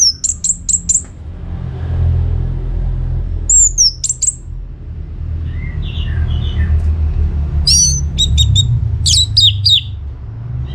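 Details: Orange-headed thrush song in an energetic, non-stop style, played so other birds join in: clusters of sharp high chips, soft low whistles in the middle, then more rapid high notes, with a constant low rumble.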